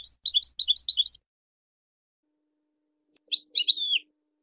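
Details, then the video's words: European goldfinch voicing a quick series of bright chirped notes, then after a pause a short, louder jumble of twitters ending in a buzzy, slurred flourish. "Serenading Goldfinches: Nature's Melodic Inspirations"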